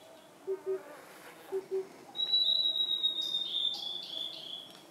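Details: Blue-and-white flycatcher, Khingan reserve, Amur region, Russian Far East: after two low double hoots of an Oriental cuckoo, a long, steady, high whistle breaks into short scratchy notes.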